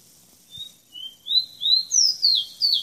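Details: Tropical bird song: soft short whistles lead into a series of louder slurred whistled notes, rising and falling and climbing in pitch, evenly spaced across under three seconds, background otherwise quiet.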